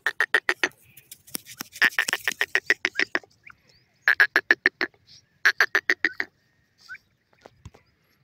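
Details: Grey francolin, a male and female together, calling in loud bursts of rapid, evenly spaced harsh notes, several quick series of about eight to twelve notes separated by short pauses, with faint clicks between.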